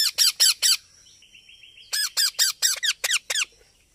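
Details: Baby parrot calling: harsh, rasping squawks, each sliding downward, in a quick burst of four, then a faint thin tone, then a longer run of about eight squawks in steady rhythm.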